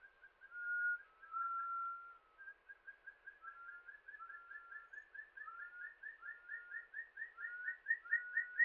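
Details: Rufous-throated partridge in Himalayan forest in Uttarakhand, India, giving haunting whistles: long level notes, then a quickening series of short paired whistles that climb gradually in pitch, over a quiet background.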